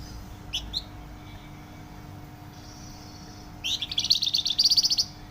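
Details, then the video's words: Flamboyan bird singing vigorously, loud and dense: two short upslurred chips, a pause with a faint thin whistle, then a rapid run of buzzy high notes repeated about four per second for nearly two seconds. "Burung Flamboyan gacor suara nyaring dan rapat"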